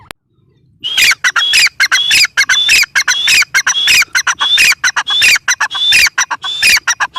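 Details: After a brief silent start, a teetar (grey francolin) launches into a harsh, ringing chant of clipped notes repeated quickly and steadily, each note topped by a short high whistle-like streak, continuing to the end.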